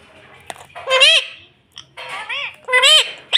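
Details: Pet rose-ringed parakeet saying "mummy": two-part spoken phrases of rich, arching harmonic syllables, each pair repeated with a short pause between, plus a sharp click near the start.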